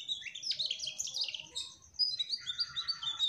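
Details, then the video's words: Mugimaki flycatcher, described as trotol, in a short burst of high chattering song. Fast squeaky notes tumble together, then break into thin whistled trills near the end. A soft low rumble plays in the background. "Burung Sikatan MUGIMAKI TROTOL Gacorr"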